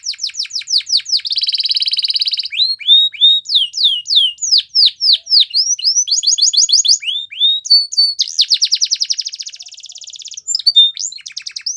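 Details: Canary training song, a long varied sequence: quick sweeps, buzzy rolled trills, spaced falling whistles, fast chip runs and a drawn-out rattling trill.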